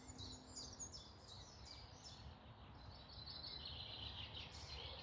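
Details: Morning song from woodland birds near Malton, North Yorkshire: a run of short, high falling notes, then dense overlapping chatter, over a low rumbling background.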